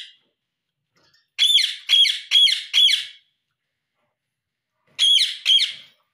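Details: Indian ringneck parrot at home calling "mummy mummy": four quick harsh harmonic syllables in a burst, a long pause, then two more.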